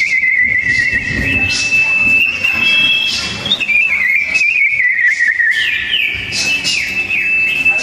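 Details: Song duel of sooty-headed bulbuls, voices strong and close-set: a long wavering whistled line that steps down and back up, ending in a burst of crisp rising trills.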